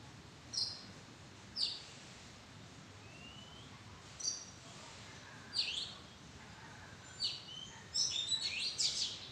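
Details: Oriental magpie-robin in a madan tree arbor giving scattered brief, bright whistles and clicks. One soft rising whistle is heard, and the clip ends with a quicker cluster of varied notes against low background noise.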